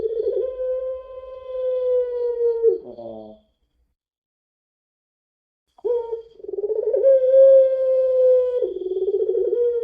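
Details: Long-voiced puter pelung dove, lure recording: a steady drawn-out coo ending in a rasping sob, over two seconds of silence, then a fresh coo with pulsing, throbbing passages.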